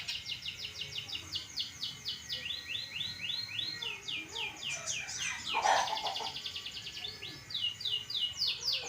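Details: Long-tailed shrike of the pastol type in full song: a fast, steady run of high downslurred chips, roughly four per second, broken midway by a louder harsh burst, with faint low background noise.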